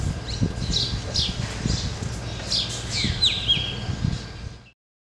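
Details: Black drongos in a flock perched on a tree in Ranthambore jungle, Rajasthan, giving high squeaky tweets and short slurred whistles in irregular bursts, over rustling and low rumbling noise, ending abruptly in silence.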